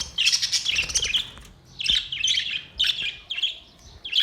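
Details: Budgies warbling on 22 May 2023: dense chattering bursts of high squeaks and trills in clusters, with short pauses between phrases.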